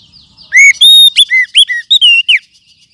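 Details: Wild oriental magpie-robin lure call used as tutoring material: faint chatter, then a quick series of strong, ringing whistles, with a long steady note followed by short up-and-down slurs and a final falling whistle.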